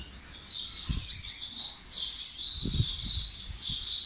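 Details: Gouldian finch from Tunisia, a thin, buzzy, high twittering held almost unbroken across the clip, with soft low thumps and knocks beneath.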